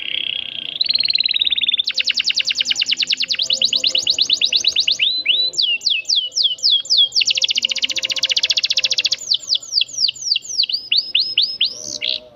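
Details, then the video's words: Canary delivering a long rolling song used as a model for teaching young birds. Loud, fast trills of rapidly repeated high notes change pattern every few seconds, with sweeping whistled notes between and a clean, quiet background. "KENARI GACOR ROL PANJANG cocok untuk masteran paud"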